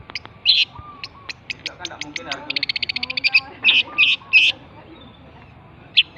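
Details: Long-tailed shrike from Java: sharp clicking notes quicken into a rapid even rattle of about fifteen ticks, followed by three loud buzzy high phrases, over a steady low background hum.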